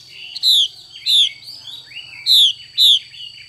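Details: A female Chinese hwamei (Garrulax canorus) gives loud, bright, down-slurred whistled notes, four in about three seconds, with softer chirps between them over a low steady hum.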